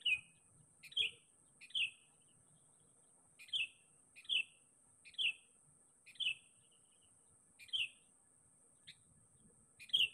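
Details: Sooty-headed bulbul calling to seek a rival, used as a lure for catching bulbuls: short bright chirps, each dropping slightly in pitch, repeated roughly every second, over a steady high electronic whine.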